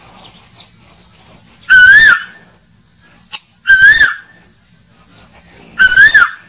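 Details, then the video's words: Asian koel lure call for slingshot hunting: three strong whistled notes, each with a quick rise and dip, spaced about two seconds apart, with a short click and a steady faint high tone in the gaps. "Tiếng Tu Hú Mồi Bén Nhất Cho Ná Thủ"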